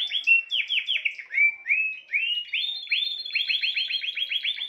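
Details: Spanish timbrado canary song: rapid trilled notes, then slower, separate rising whistles, building into a quick rolling run of repeated upward-slurred syllables.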